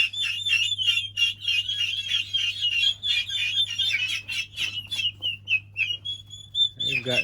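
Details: A group of 1.5-month-old domestic turkeys raise a ruckus: a steady chorus of high, shrill chirps, several each second, over a low electrical hum, with a voice coming in at the end.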